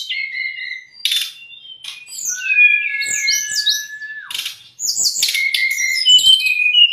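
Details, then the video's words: Lure song of a white-rumped shama for raw or stressed captive birds: clear whistles, a long level whistled note dropping at the end, then bursts of bright, jumbled twittering phrases. "MASTERAN DAN PANCINGAN SRDC PALING DI CARI TERBUKTI AMPUH.....untuk srdc bahan maupun srdc stres"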